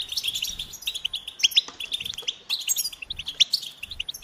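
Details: Goldfinch song made of short clusters of sharp, high chirps and clear tweets, loosely spaced, with a few brighter piercing notes standing out.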